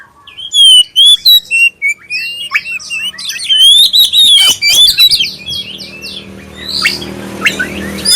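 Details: Black-breasted oriental magpie-robin giving a clear lure song meant to prompt other magpie-robins to sing: rapid, varied whistled phrases, sliding and rising notes mixed with short sharp chirps, with a denser, rougher passage in the last seconds.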